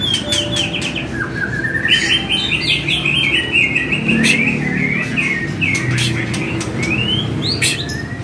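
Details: Caged-shama training song of the white-rumped shama, intended to draw replies and full repertoire: a long run of fast warbled whistles and trills with brief sharp clicks, low humming noise underneath.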